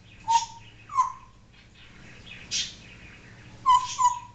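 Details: Pet African grey parrot indoors, known for talking, barking and other imitations, producing two short whistled notes, a pause with faint clicks, then a clipped burst and two more quick whistles.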